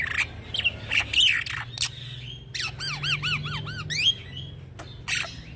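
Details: Young black-winged myna in full, continuous rolling song, kept as a tutor and lure for training birds: harsh squawks and chattering notes, then a run of arched, whistled, harmonic-rich notes repeated in quick succession, with a low background hum.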